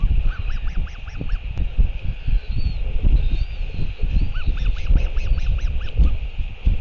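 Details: Royal albatross at a New Zealand nest as the adult male returns to feed the chick, 7:58 pm, 28 March 2023: a run of short, arched, nasal notes repeated quickly, over steady loud wind rumble.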